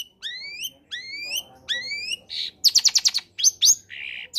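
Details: Long-tailed shrike sings a combination song meant as a lure for silent shrikes: three rising, upslurred whistles, then a harsh buzz, a fast rattling burst and a final raspy note.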